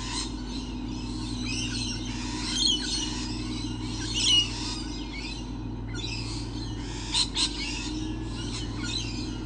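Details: Lorikeets abundant on 28 November 2013, a flock chattering with rasping, squealing calls in clustered bursts, louder shrieks around the middle and a sharp pair near the end, with a low steady hum beneath.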